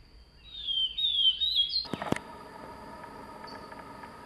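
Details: Song of a wild Swainson's thrush: a bright, high, warbling whistled phrase lasting about two seconds, cut off by a couple of loud clattering knocks, then quiet noise with a steady high tone.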